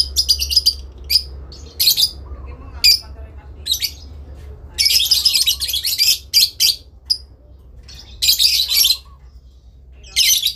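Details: Adult lovebird trading calls with another, the long ngekek chatter used to summon a rival: rapid run of harsh, scratchy squawks and short chips, in clusters with brief pauses, faint low hum beneath.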